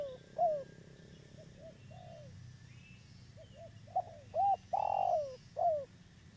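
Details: Spotted dove of a local type, used as a lure for trapping, opens with soft coos and gentle paired notes, then a loud phrase of short notes, a long swelling coo and a downslurred coo; faint chirps of other birds.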